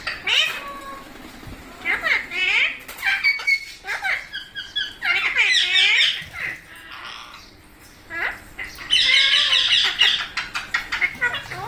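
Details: Parrot producing a long, varied series of rapid squawks, squeaks and buzzy rattling bursts, with loud harmonic calls in quick clusters and a few brief lulls between them.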